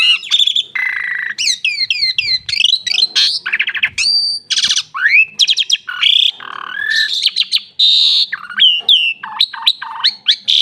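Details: Asian pied starling pouring out a rich medley of downslurred whistles, rattling buzzes, steady tones and abrupt squeaky notes, phrases tumbling quickly into each other for over ten seconds.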